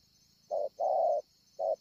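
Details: Spotted dove, a wild-caught bird with a scarred chest, at Ngọc Hồi on 25 March 2020. It gives one short-long coo pair and then begins another, low and mellow, against a constant high whine.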